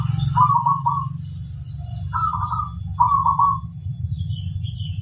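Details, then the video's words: Zebra dove, a local bird said to set all others answering, gives three short bubbling trilled coos at a medium pitch, separated by pauses, with a low rumbling background noise throughout. "suara sang masteran burung perkutut crosing"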